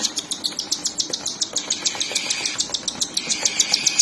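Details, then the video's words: Young cockatiels being fed by their mother, giving steady high-pitched pulsed chirps, roughly three or four each second, continuous throughout, with a low hum underneath. "Cockatiel Parrots Mother Feeding to Cute & Lovely Baby's"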